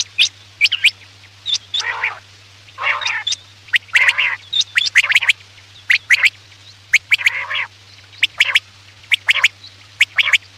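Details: Quail calls used at night as a hunting lure: harsh, buzzy, downward-sweeping notes alternate with sharp clicks and short high whistles in uneven bursts, with a steady low hum underneath.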